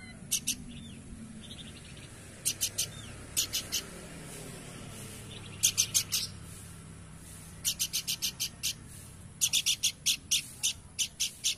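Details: Spaced clusters of sharp, buzzy high notes from a Horsfield's babbler, two to six notes per cluster, with a few faint thin whistles between them and low background rumble.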